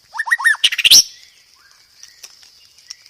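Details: White-rumped shama master song for training cage birds: a brief burst of quick looping whistled notes and sharp chirps in the first second, then faint scattered high notes over a steady high hiss.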